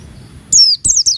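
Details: Female Oriental white-eye calling males: one drawn-out high note gliding downward, then two short, sharp chirps falling in pitch.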